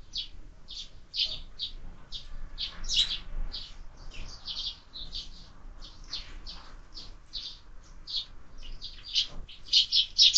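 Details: At a window-mounted feeder in use all year, sparrows chirp quickly, more than two notes a second, building to a louder, crowded flurry of chirps at the very end.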